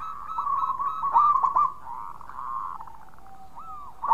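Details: Zebra dove of the local type, used as a lure for other doves: a low, rolling coo that wavers and stutters, fading into a quieter drawn-out note, then a brief louder burst.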